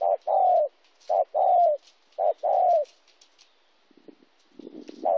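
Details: Spotted dove recorded in Kon Tum, Vietnam, 26 January 2016, giving three soft coo phrases, each a clipped note then a drawn-out falling coo, followed by faint rustling and scattered clicks.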